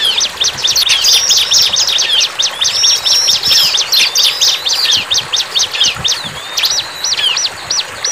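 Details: Bar-winged prinia in the wild delivering a long, fast run of high, clipped chirps, repeated more than twice a second, with a brief break before a final burst of chips.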